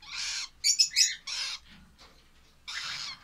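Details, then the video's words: Young lovebirds uttering a few coarse, buzzy calls and sharper squeaky notes, with a quiet stretch before a final raspy burst. "love birds baby"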